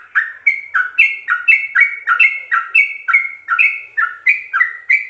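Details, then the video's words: Sooty-headed bulbul singing rapid 'ropel' song full of fill-ins, meant for training captive birds: a brisk string of bright two-part chirps, each a low note leading into a higher whistle, evenly spaced. "Ropelan trucuk gacor full isian"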